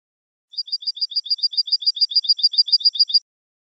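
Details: Tit song from a training recording for goldfinches: a fast, very even series of high clear paired notes, alternating higher and lower, repeated about three and a half times per second for nearly three seconds.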